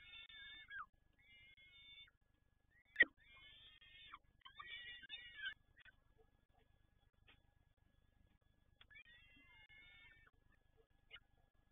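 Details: Peregrine falcon recorded at Toruń uttering a few short, harsh, descending wails in separate bursts with long quiet stretches between them. A single sharp knock stands out, and a faint low hum runs underneath.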